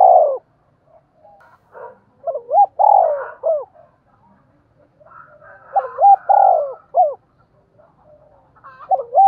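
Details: Decoy spotted dove in the 'giọng đồng' style for luring and provoking wild 'giọng thổ' doves. Deep, soft coos with long falling notes and hooked rising notes in loose series, with faint rougher bird calls between phrases.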